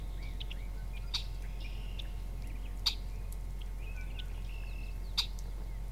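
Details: Red-winged Blackbird in North America giving three sharp, dry chip notes a second or two apart, with soft twittering from other birds and a steady low rumble.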